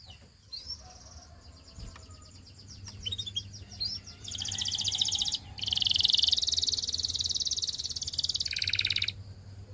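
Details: Canary song for practice: scattered faint swooping notes, then loud dense buzzing trills at two pitches, with a steady low hum underneath.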